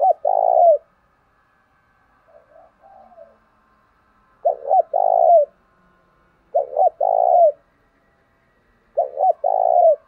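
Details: Spotted dove kept as a decoy to lure wild doves, singing four low cooing phrases, each two quick clipped notes then a longer rolling coo, with soft murmured notes in one gap.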